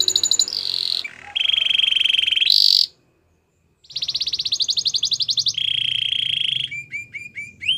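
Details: Belgian canary producing long, loud rolling trills at changing pitches, a short silent gap, then more dense trills and a closing series of quick, clipped falling notes.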